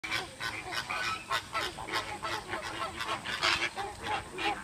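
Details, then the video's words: American flamingos at Oji Zoo, Kobe, Japan, give harsh, goose-like honking squawks, about three a second, overlapping in a busy nasal chorus. "Squawking American flamingo"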